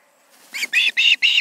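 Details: Evening at the Charlo osprey nest, 20 August 2019, two birds present: faint rustling, then a quick run of four shrill, whistled notes, the later three longer and louder.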